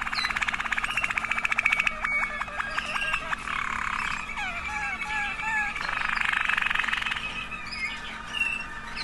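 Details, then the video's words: Four different Waterslager canaries, varying in pace, tone and water tours and klok, sing a continuous run of rolling trills, clucks and bubbling, water-like phrases that shift every second or two at a moderate pitch. "Waterslager canary songs"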